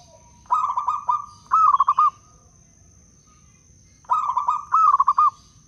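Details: Lure song of a local wild-type zebra dove from Blora: two full songs, each a beaded trill followed by looping rolled coos, about four seconds apart. A faint steady electrical-sounding whine is present.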